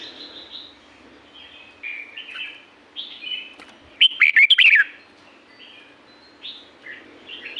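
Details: Red-whiskered bulbul recorded in the wild at La-U forest, Thailand; soft scattered whistled phrases with one loud, bubbly, rapidly rising-and-falling burst midway, over a steady low hum.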